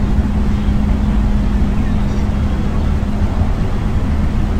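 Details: Continuous low engine-like rumble with a faint steady hum, and no animal calls.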